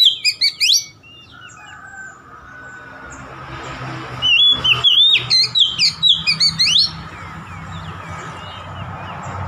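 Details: Oriental magpie-robin singing to provoke a rival: loud whistled phrases of rapid rising and falling notes in two bursts, separated by quieter stretches with a steady low hum.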